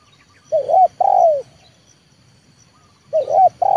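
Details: Trained 'leopard' spotted dove used as a lure bird to bring wild doves down to the yard, giving low, mellow, rising-then-falling coos, a pair of phrases, a pause, then another pair, in quiet surroundings.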